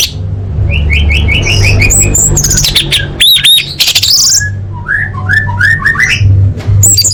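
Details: Female orange-headed thrush calling males, a lure for birds that have stopped singing: a series of short rising whistles repeated several times, a burst of loud harsh squawks in the middle, then more rising whistled notes over a low hum.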